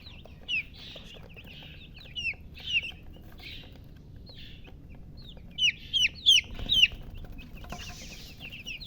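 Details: Baby chicken chicks give rapid high downward-slurred peeps, sometimes in quick clusters of three or four, louder toward the second half, against an otherwise quiet background.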